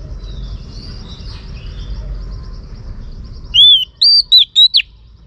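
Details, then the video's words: Faint high twittering gives way to a female Oriental magpie-robin's song used to stimulate males, one crisp phrase of an arched whistle followed by three brief slurred notes near the end. "Choè than mái kích trống hay nhất"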